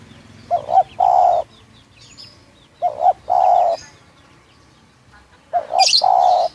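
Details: Three loud, clear phrases from a local spotted dove at Munjung Agung, Kramat, Tegal: each a doubled short note then a long steady coo, spaced roughly two and a half seconds apart, with a sharp chirp from another bird near the end.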